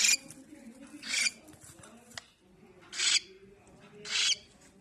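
A young cockatiel gives harsh, hissing rasps in short bursts, about one every second or so.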